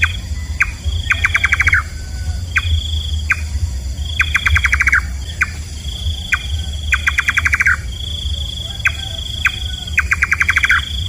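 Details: Repeated nightjar calling, the nocturnal bird locally named nok kaba: short single chonks, then quick stuttering bursts of eight or so notes, recurring every two to three seconds against a steady insect hum and low rumble.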